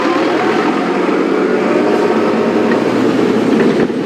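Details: Loud, steady roar of a moving vehicle on a morning safari drive dominates throughout, with no animal calls heard.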